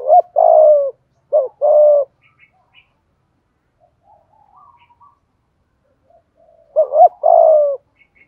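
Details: A spotted dove sings in the 'giọng thổ' voice with 'thúc gù' cooing. Three mellow phrases pair a short, quavering coo with a longer, even coo, separated by a long, quiet pause with faint murmurs.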